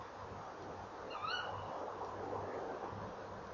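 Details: Tawny owl calling in the evening at a nest box on 28 November 2013, 19:22. A single sharp, rising call with a quick upward sweep rises above steady low background hum.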